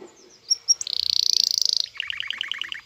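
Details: Aroused male canary courting a female for mating: two sharp high whistles, then a rapid buzzy trill about one second long, followed by a lower series of quick repeated chirping notes.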